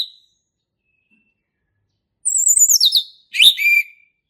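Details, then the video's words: Forest male orange-headed thrush singing ngeplong for young birds to learn: a high whistle sliding steadily downward, then a short twisting whistled phrase. "SUARA ASLI HUTAN ANIS MERAH JANTAN GACOR NGEPLONG"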